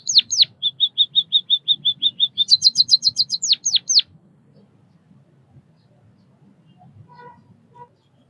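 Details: White-headed munia (Lonchura maja) from Southeast Asia: falling whistles, a steady row of short thin piping notes, a fast burst of high chirps and a few descending notes, followed by near silence.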